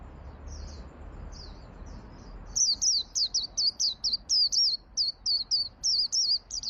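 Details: Lure song of a 'ngalas' white-eye for training birds: a few soft, high notes, then from mid-clip a loud run of sharp, bent chirps about three per second, each note dipping then rising, over quiet hiss.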